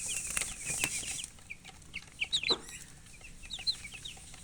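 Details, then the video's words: Quick high peeps from colored chickens, short bright chirps repeated irregularly and sometimes overlapping, with a few rustling knocks in the first second. "silly chicken chirping sounds with murgi hen color chicken"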